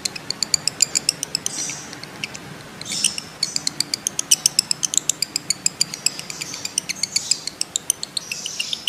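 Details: Lovebird 'ngekek' trill, meant to stimulate other lovebirds into long trilling: a steady stream of crisp high-pitched ticks about four or five per second, broken by brief buzzy chattering phrases, with faint background hiss.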